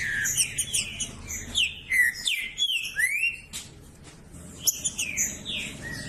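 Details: Green-winged saltator song meant to stimulate other males: bright whistled slurs and rising sweeps in rapid succession, then a short quieter pause before more whistles resume.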